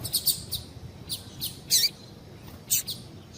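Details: Short sample of female double-collared seedeater calling to stimulate males: a handful of spaced high chirps, one louder buzzy note, over noticeable low background noise.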